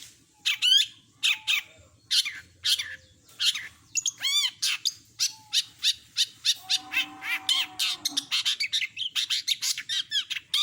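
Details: Long-tailed shrike (cendet) singing a lively, full repertoire of mimicked calls: rapid bright chirps, rising and falling slurred whistles, and a brief low steady whistle in between. The phrases come in quick bursts.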